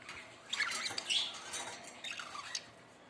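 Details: Budgerigars giving a few short, high chirps and squeaks in two bursts, the second a rising-falling trill, with quiet gaps between.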